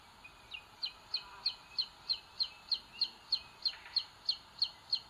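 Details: Booted eagle chicks in the nest, Sierra de Guadarrama National Park, Spain, 2022, seen on a live nest cam as the older one pecks the little one; a clear, evenly spaced series of high piping notes, roughly three each second.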